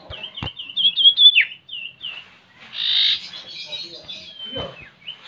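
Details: Common Iora lure song for getting a bird to sing: a rapid chain of high, downslurred whistled notes, then a broad hissy burst and a long thin descending whistle.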